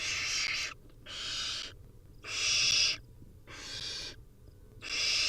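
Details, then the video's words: Barn owl nestlings, wild, beg for food with steady rasping screeches lasting under a second each, repeated roughly every second with brief pauses. "Hungry Little Owls: Barn Owl Nestlings' Feeding Time"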